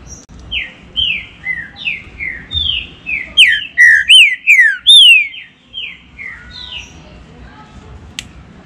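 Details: Green-winged saltator giving a 'baruc' song used as a warm-up for captive birds. Soft falling whistles build into a loud run of rich downward-slurred notes, then trail off into quieter whistles and a sharp click near the end.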